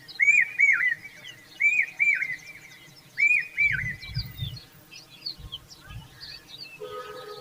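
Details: Indian common babbler fanning her chicks with her wings: three quick bursts of paired, arching whistled notes, then lower thumping noise and scattered faint chirps as the calling stops.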